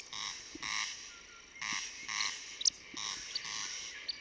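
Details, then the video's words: Eurasian woodcock: a male's spring courtship display flight (roding) in the breeding season, a run of low, rasping croaks about every half second broken by a few sharp, high, explosive 'psip' notes. "écoutez maintenant cet enregistrement pour mieux reconnaître la voix unique de la bécasse des bois"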